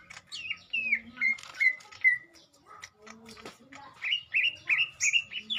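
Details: Mental test of a lesser green leafbird (cucak ijo): descending whistled slurs, a quieter gap with scattered clicks, then a run of quick repeated bright whistles rising and falling.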